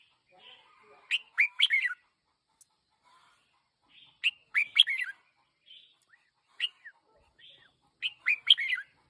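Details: A one-year-old red-whiskered bulbul used as a decoy bird delivers the same brisk, sharp-edged chirping phrase three times, about three and a half seconds apart, with faint twitters between.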